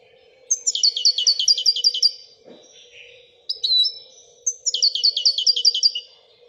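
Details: Royal goldfinch delivering two long rapid trills of chiming repeated notes, separated by a few slurred whistles, over a continuous low hum.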